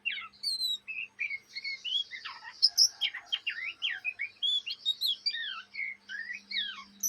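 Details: Young Oriental magpie-robin, a kept bird in Indonesia, chattering in its practice song (ngriwik), kept up day and night: a fast, continuous run of varied whistled slurs, rising and falling notes and short buzzy phrases with a faint steady hum behind.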